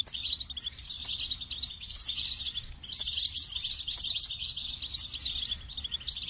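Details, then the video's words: Steady flowing goldfinch song, a rapid, high, tinkling and buzzy twitter that carries on nearly unbroken, rich in quick chirped notes. "The Captivating Call of Goldfinches: Musical Wonders of Nature"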